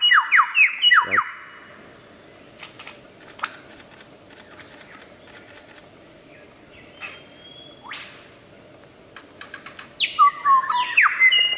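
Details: Superb lyrebird in the wild mimicking in a varied burst: ringing downslurred whistles, sharp clicks and snapping notes, falling whistles, then a loud chattering medley at the end.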